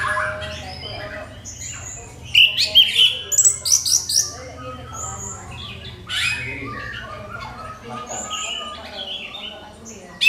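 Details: Lure song of an orange-headed thrush, sung with a clear crystal voice to set other birds singing. Scattered soft notes lead into a quick series of loud, sharp, high chirps, then a calmer stretch of varied phrases.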